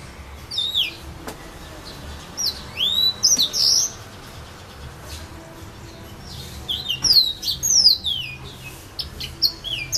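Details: Serin at St Philippe in the filaos, Réunion: bursts of high, thin, rising and falling twittered phrases spaced a few seconds apart, fairly quiet against a calm background.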